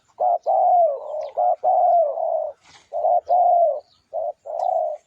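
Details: Spotted dove song used as a lure recording: a string of low, mellow coos, short clipped notes alternating with longer drawn-out ones, about five phrases in quick succession with brief gaps, nearly clean background.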